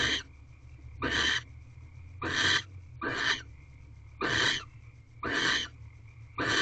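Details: Mating barn owls in an owl box before dawn, 5:40 am, 7 March 2023: a regular run of seven rasping, hiss-like screeches about a second apart, steady and evenly loud, over a thin constant electronic whine.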